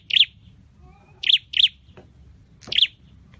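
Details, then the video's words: Scarlet-headed flowerpecker kept in a cage for singing training gives short, piercing high chirps, one single and then two close pairs, with soft low hum behind. "Deep red-headed birds(Dicaeum Trochileum): Birds thoroughbred training for singing chirped"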